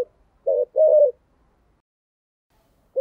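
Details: A single short phrase from a decoy spotted dove in the 'thổ' voice style: one brief coo and then a longer, slightly trembling coo, low and mellow, followed by quiet.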